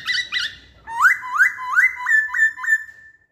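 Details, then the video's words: Lure song of the masked laughingthrush, two short rising notes followed by a string of six upslurred whistles repeated about every third of a second, fading out at the end. "Kicauan Poksay Hongkong"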